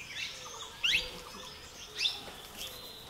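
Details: Grey treepie feeding during an Uttarakhand birding trip gives short, scratchy, high chirps, four spaced about a second apart, over a faint ticking background.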